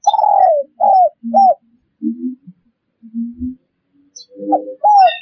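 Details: Spotted dove coos for luring wild doves: a long sliding note and two arched coos open, then lower, softer cooing notes. A final pair of arched coos ends the clip.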